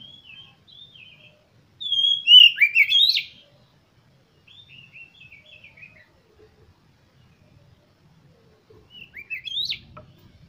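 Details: Oriental magpie-robin song used to stimulate other birds: scattered soft whistled phrases broken by a loud rich warbling burst, with a second sharp phrase near the end.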